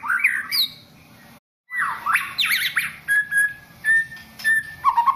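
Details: Champion contest white-rumped shama in varied song: bright rising whistles, buzzy fluttering high trills and a short gap, then evenly spaced steady whistled notes, closing with a lower warbled phrase.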